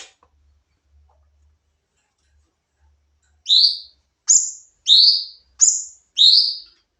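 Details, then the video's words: Sooty-headed bulbul in a nembak-style training recording for songbirds: after quiet, five sharp high notes about a second apart from 3.5 seconds, each a short bright two-layered whistle sliding slightly upward, with faint low hum early on. "masteran burung cucak cungkok nembak"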